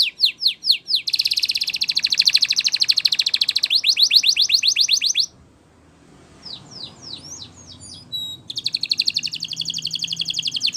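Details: Spanish Timbrado canary training song: a few spaced notes, a long dense buzzing rattle, slower falling whistles, a short gap, then scattered sweeps and another fast rattle.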